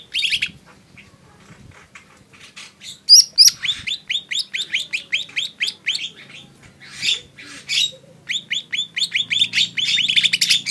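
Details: Lesser green leafbird singing a fast, busy series of sharp, upslurred chirps, about four a second, with scratchy high bursts between runs and brief pauses.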